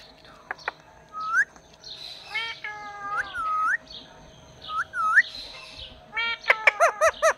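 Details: A talking parrot kept as a pet makes upslurred whistles, long bent tonal notes and a final burst of rapid loud clipped calls, with a faint background hum.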